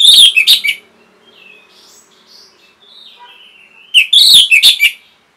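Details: Song of an orange-headed thrush, played to train caged birds and prompt them to sing. Two loud clusters of sharp, bright notes frame a stretch of faint, gliding whistles between them.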